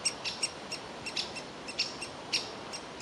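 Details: Nestling woodpecker in a tree cavity calling to be fed, its parents wanting it out of the hole; a brief burst of bright, high chirps, several close together, with faint background noise.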